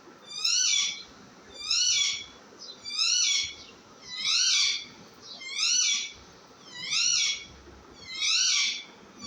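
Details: Baby parrot repeating a loud, grating, harmonic screech at a very even pace, seven calls about one every 1.3 seconds, each rising and falling slightly.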